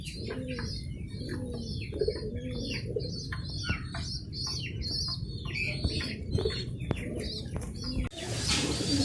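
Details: Pigeon chicks being fed by their parents: rapid series of high, arched squeaks, several each second, over soft low cooing murmurs, ending with a brief burst of rustling noise.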